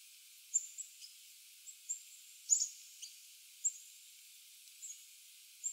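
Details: Chickadee at a suet feeder at 5:01 PM on April 2, 2019, giving thin, very high chip notes, some doubled, at irregular intervals of about a second over a soft background hiss.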